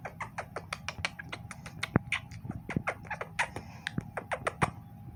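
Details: A pet Quaker (monk) parakeet, play-fighting with its owner, gives rapid, scratchy chattering calls and sharp squeaks in quick bursts.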